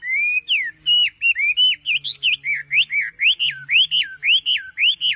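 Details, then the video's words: Tame wambi singing busily while perched on a hand: a steady series of loud, clear whistles, each sliding up then dropping, repeated about twice a second with brief sharp chips between, faint low hum behind. "Burung Wambi Gacor"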